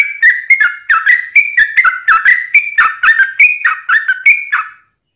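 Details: Continuous yellow-vented bulbul song, used as a tutor recording and lure for wild birds: bright bubbling whistled notes about four per second, ending in silence.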